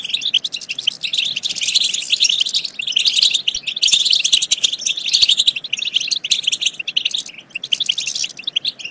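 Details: Dense goldfinch chorus of overlapping, bright twittering and buzzy chirps, continuous throughout; used to stimulate goldfinches to sing and mate.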